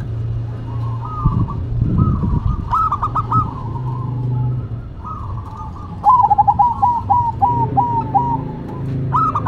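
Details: Duet of two zebra doves, a local and a cemani bird: several bursts of quick, stuttering, bubbling coos, with one longer rapid run of notes after the middle, over low-pitched background rumble.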